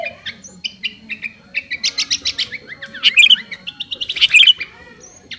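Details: Sooty-headed bulbul, garuda type, calling to a rival with a string of short spaced chirps that build into two loud, dense bursts of bright twittering notes.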